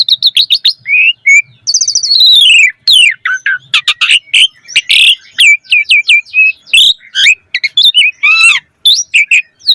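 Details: Asian pied starling in lively 'full isian' song, used to get other starlings singing: a long, dense medley of slurred whistles, rapid chips, harsh squawks and trills with almost no pauses.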